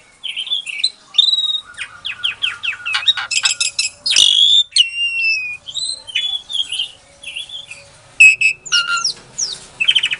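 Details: Lure song of a captive-bred Asian pied starling from Klaten, Indonesia, February 2022, used to make quiet starlings reply: a continuous medley of short whistles, slurred upward and downward notes, rasping bursts and a sharp click near the middle.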